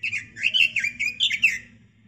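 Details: Caged robin's master song for training other birds: a tight burst of rapid, sweet warbling notes over under two seconds, each note sliding up or down, against low steady hum.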